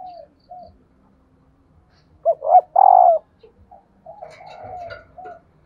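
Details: {'caption': 'Female spotted dove calling to stir reluctant decoy males into cooing: faint soft notes, then a quick short note and two loud, rough, slightly falling coos, ending with a quieter drawn-out coo.'}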